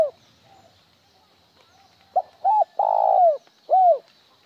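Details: Spotted dove cooing in the 'một hậu' style with one trailing end note: a short note, a quick double note, a long rolling coo falling at its end, then a separate arched closing coo, over quiet background.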